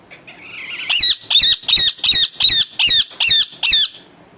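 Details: A household pet parrot screams in a steady series of eight harsh, high squawks, each about half a second apart, rising in loudness at the start.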